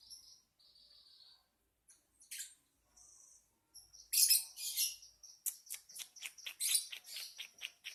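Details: Lovebird song: soft, thin whistles at first, then a loud scratchy outburst and a fast train of sharp, repeated chirps.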